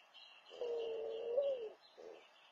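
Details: Mourning dove that has just built its nest, calling to a mate: a soft, low, mournful coo drawn out for over a second with a slight rise near the end, then a shorter fainter coo. Thin high bird chirps sound behind.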